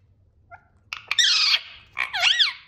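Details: A pet parrot, described as jealous and angry, gives harsh squawking calls: a short soft note, then two loud rasping bursts with sweeping, wavering tones near the end.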